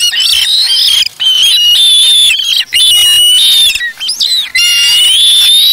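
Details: Nestling osprey at the Charlo nest, August 3, 2017, self-feeding on a fish taken from its parent; long, piercing, drawn-out squealing whistles that slide up and down, almost continuous with a few short breaks.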